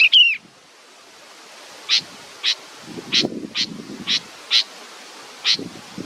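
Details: Nestling bird waiting for its mother opens with a sharp whistled slur, then gives seven evenly spaced scratchy rasping notes over a quiet background with faint low rustling.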